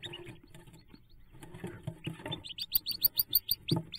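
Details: Hooded merganser ducklings leaving the nest, 5 May 2024: low rustling and scuffling at first, then a quick series of loud, clear, high peeps, about five per second, from several young.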